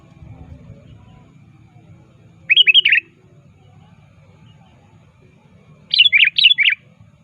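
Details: Sooty-headed bulbul actively calling to a rival, for luring: a rapid run of three bubbly notes, then after a three-second pause a longer string of four to five quick rolling notes, faint low noise underneath.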